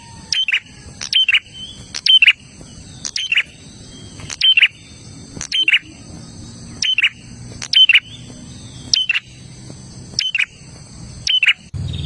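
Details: Olive-backed tailorbird in a long bout of loud song. Paired bursts recur every one to one and a half seconds, each a piercing whistle that collapses into a buzzy trill. A constant thin high tone and low rumble lie beneath.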